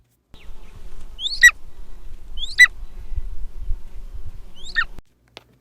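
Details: Golden eagle giving its occasional high, weak calls: three thin, high whistles, each a quick upward slur then a drop, spaced one to two seconds apart over a low rumble.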